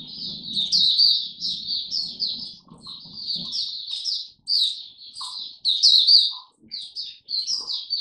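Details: Oriental white-eye kept in a cage, 'Buka Sing Raja' song display on 26 November 2022: choppy high twittering phrases separated by brief gaps, with a low murmuring background in the first few seconds.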